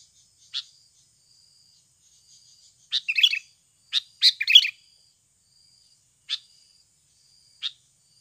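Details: Natural Sooty-headed bulbul sound used as a lure to get birds singing quickly: isolated sharp chips spaced a second or more apart, with two bursts of rapid harsh chatter in the middle, and a thin continuous insect tone behind.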